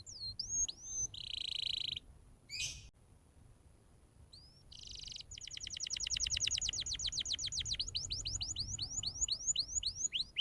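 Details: Canary song for teaching young canaries to sing: scattered whistles and short dense buzzy bursts with pauses, then a continuous rapid trill of repeated sweeps slowing into looping whistled notes.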